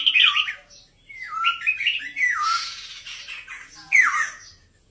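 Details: Red-whiskered bulbul, Vietnamese and Uttaradit birds from Thailand, singing short warbled phrases that slur down and up, several bright rich notes with brief pauses, loud first and last phrases, faint background chatter.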